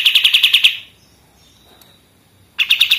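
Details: Pied triller in full 'machine-gun' song, used as a master recording for training other songbirds: a fast burst of repeated high chattering notes, a pause of near silence, then the rapid trill starts again.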